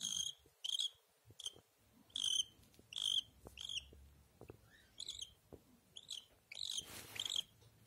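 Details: Pet cockatiel giving a rapid series of short, bright chirping calls, often doubled, with a ringing, harmonic quality. A steady low hum runs underneath and a brief rustle comes near the end.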